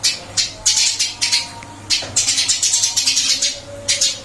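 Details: Caged Eurasian tree sparrow, moved to a fresh cage yet still chirping eagerly: steady series of sharp, scratchy notes roughly every quarter second, with a brief gap midway and faint room noise.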